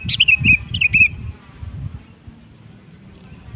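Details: Prompting song of a sooty-headed bulbul: a quick series of slurred, descending whistled notes in the first second, over thumping low background noise that fades afterward.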